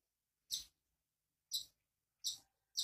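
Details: East Java long-tailed shrike whose song is filled with imitations of cak ijo and kapas tembak: four short, harsh, scratchy, high-pitched bursts about a second apart; nothing else is heard.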